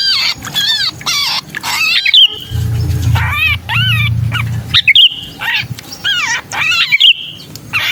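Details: Trapped sooty-headed bulbul distress calls, played to lure hard-to-catch bulbuls: clusters of grating, strongly harmonic chattering notes and brief piercing upslurred squeals, separated by short pauses, with a low droning hum in the middle.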